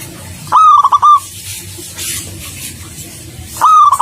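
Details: Local zebra dove producing two short phrases of rapid, stuttering coos, loud and distorted, with hissy background noise between them.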